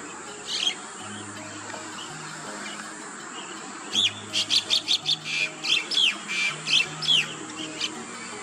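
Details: Rainbow bee-eater in Australia, calling and feeding in the afternoon and at sunset: one sharp chirp, a pause, then a rapid run of about twelve bright rolling chirps, roughly three a second, over a low steady hum.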